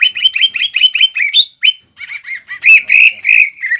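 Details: Caged green leafbird's combative song, filled with copied phrases from other species, meant to provoke: steady repeated chirped notes about three per second, a sliding whistle, then lower warbled notes and scratchy bursts.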